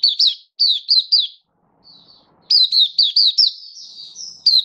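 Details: Oriental white-eye (mata puteh) song from 24 February 2023: quick down-slurred high notes in a short volley, a silent gap, then a longer run ending in a drawn-out, slightly rising thin note.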